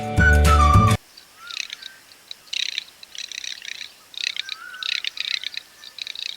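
Garganey giving dry, crackling rattles in short bursts about a second apart, with a faint thin whistle between; a loud snatch of music opens the recording.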